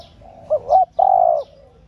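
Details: Female spotted dove calling to spur on males: a short double wavering note rising and dipping, then a long flat coo fading at the end, over a quiet background.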